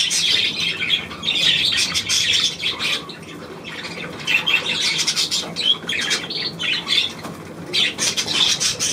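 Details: Budgerigars recorded 9 February 2024 produce bright, grating chatter with sharp whistled squeaks, loud bursts separated by short quieter gaps.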